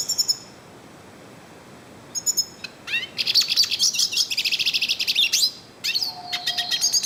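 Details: Wild yellow-faced siskin in full song: brief high chirps after a pause, then a dense rush of twittering, buzzy and whistled notes, ending in a sweet high warble over a soft low tone.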